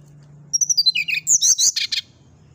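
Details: Brown-chested jungle flycatcher, a caged bird, delivers a fast song: rapid high twittering notes sliding down, then loud buzzy, scratchy chattering bursts repeated several times, with a steady low hum underneath.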